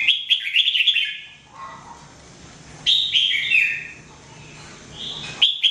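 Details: Red-whiskered bulbul (jambul) trained to sing daily; a rapid burst of bubbling whistled notes, a lower soft phrase, then a bright falling whistle series and a closing sharp note after a pause.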